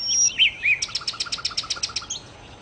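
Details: Nightingale (sikatan londo) phrase: a high thin whistle and looping slurred notes, then a rapid even series of about a dozen sharp repeated clicks.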